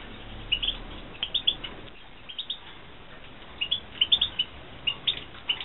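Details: Caged European goldfinches from a 2016 breeding setup utter scattered high, thin chirps in small clusters of two or three, with quieter gaps between and low room noise underneath.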